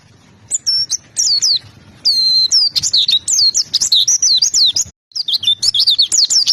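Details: Oriental white-eye singing actively, bursts of high, sharp whistled notes and twittering phrases with short gaps between, a brief silence near the five-second mark before the chattering resumes.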